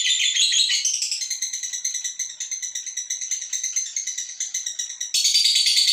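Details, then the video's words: Ngekek trill of a female fighter lovebird meant to provoke other birds, a rattling series of high pulses, about three per second in the middle, ending in a louder dense burst. "Lovebird Betina Fighter Ngekek Untuk Membuat Emosi Burung Anda!!"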